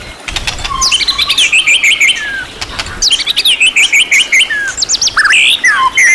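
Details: Training song from a champion-class white-rumped shama, rich in varied material. Two dense bursts of quick twittering, chattering notes with descending slurs, then loud sweeping whistles at the end.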